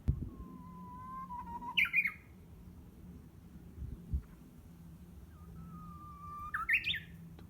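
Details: Japanese bush warbler heard but not seen behind a home around June, practising its voice; two songs, each a long even whistle rising into a sharp, ringing up-and-down phrase, over faint low background hum.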